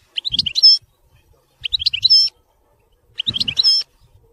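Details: European goldfinch singing in the Widani song style: three short bursts of bright, tinkling twitters about 1.5 seconds apart, each ending in a clear high whistled note, with soft low thumps beneath.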